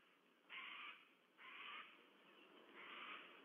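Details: White-bellied sea eagle chicks in a nest at Sydney Olympic Park, Australia, on 14 September 2022, waiting to be fed; harsh noisy begging squeals in three bursts over steady background hiss.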